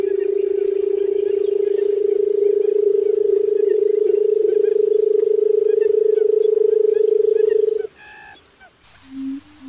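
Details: Barred buttonquail giving a long, low, vibrating drone of fast even pulses for about eight seconds before it stops abruptly. A few faint higher notes and a short low sound follow in the quiet.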